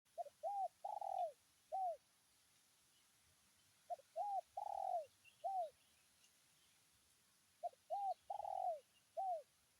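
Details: Spotted dove calling to a rival, giving a "tarik akar" style call: a short phrase of four mellow coos, the third long and trembling, repeated three times with pauses of about two seconds.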